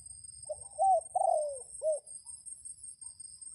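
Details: Red junglefowl rooster crowing as a lure for wild junglefowl during rainy days: a single four-part crow, short, rising, long and falling, then clipped, with a continuous high whine and soft low background noise.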